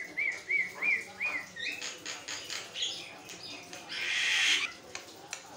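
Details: Javan myna chattering nonstop, a tutor recording meant to make other mynas answer and sing: four clear whistled rising-falling notes in a row, then a run of harsh, rasping bursts and a long scratchy squeal.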